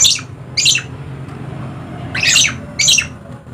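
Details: Dusky lory, endemic to Papua in eastern Indonesia, letting out four loud, harsh, grating screeches in two pairs within under four seconds, quieter hum between calls.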